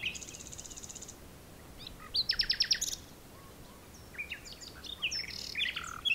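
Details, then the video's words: Common nightingale singing in the dunes of Texel, recorded by digiscoping: a fast buzzy trill of repeated high notes, a pause, then a loud burst of sharp clicking notes, followed by scattered chirps and whistled phrases. "Nachtegaal #2 - Duinen van Texel / Digiscoping Common Nightingale"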